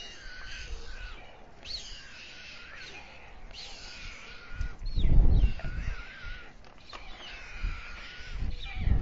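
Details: Male white stork feeding two chicks at dusk on a nest on the town hall tower, Alcalá de Henares, Spain. Repeated nasal, rising-and-falling mewing calls, with low thumps and rumbling from the nest midway.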